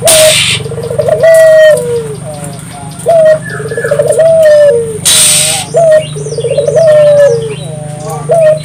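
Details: Island collared dove singing vigorously, a recording meant to stimulate local doves to join in; low rolling coos rising and falling near the same pitch, repeated in phrases every few seconds over a steady low hum and faint high chirps.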